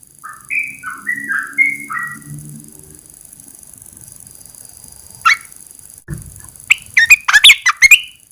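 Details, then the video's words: After 14 days of cage-cover therapy, a caged red-eyed bulbul sings once uncovered. The clip opens with a series of soft, lower, even tones, then a pause and a closing flurry of sharp, rapid slurred notes. "Kicau burung Merbah belukar Mata Merah"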